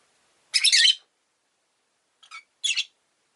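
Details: Rosy-faced lovebird making a loud, grating half-second screech, followed after a pause by a faint chirp and another shorter harsh call.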